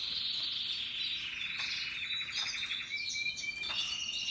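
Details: Happily singing Timbrado and Russian yellow canaries with other birds: dense high rolling trills, pulsed rattling passages, and thin whistled notes cutting in near the end over a continuous bright chorus.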